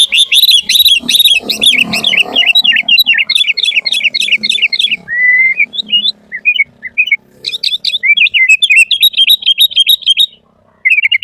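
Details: Sooty-headed bulbul in energetic full song meant to call and train bulbuls: long, dense chatter of sharp chirps and rolling warbles with a brief lower whistle midway, faint low background murmur underneath.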